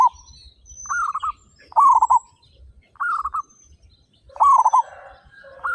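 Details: Loud-voiced local zebra doves, part of a group of thirty-five, give trilled, rolling coo phrases, a softer bird and a louder one taking turns about once a second, while faint thin whistles and chirps sound in the background.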